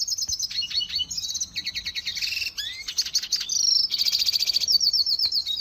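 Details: Energetic red siskin song made of dense high trills and twitters, a rising whistle in the middle, and a long buzzy, vibrating trill near the close.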